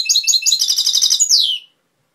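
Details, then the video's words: Jilguero from Málaga, Cobia label, delivering a dense, high, rattling twitter of repeated notes that ends in a slurred, falling whistle. "Jilguero cantando Cobia Málaga"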